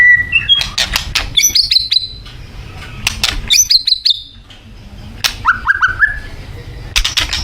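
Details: White-rumped shama of Thai origin singing its isian, a rich fill of varied phrases: clear whistles rising in steps, sharp high notes and clicks, with short pauses between bursts.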